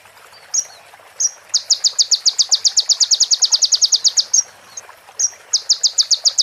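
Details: Training recording of a sunbird known as konin: isolated thin whistles lead into a long fast string of bright, high, clipped notes, then more whistles and another rapid burst.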